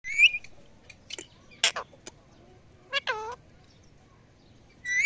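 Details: Parrots calling in the evening: scattered harsh squawks and a few whistled, rising notes, with loud bursts at the start and end and quiet gaps between.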